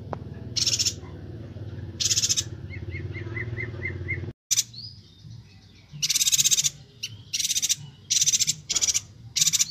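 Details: Bornean yuhina in full song, played for training other songbirds: harsh, hissing bursts separated by pauses, a short row of small clipped notes, then a dense stretch of loud buzzy chattering bursts, with low steady background noise.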